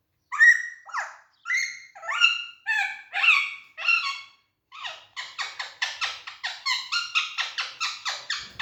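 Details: Caged green Alexandrine parakeet in a jolly, active mood: loud, strident screeches first at a steady pace, then a brief pause and a quicker run of sharp, clipped rasping notes that speed up toward the end.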